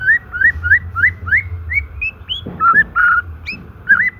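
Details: White-rumped shama natural song used as a lure for non-singing, stressed shamas: a series of rising whistled notes, about three a second, then flat whistles and a high upslurred note.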